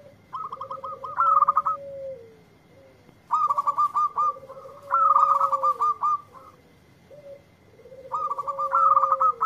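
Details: A local zebra dove replies readily to a lure recording with four rolling phrases of stuttered coos over a low held tone, each phrase ending in bright accented notes.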